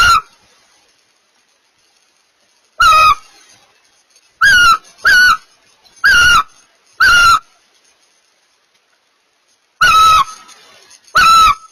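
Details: Barn owls while mating: a run of short harsh screeches in irregular bursts, some paired close together, others after long pauses, each note rough and slightly wavering.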